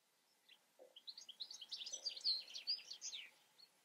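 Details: European goldfinch in song, a rapid liquid twitter of high chirps and trills that swells in the middle with sharp bright accents, preceded by a faint low note.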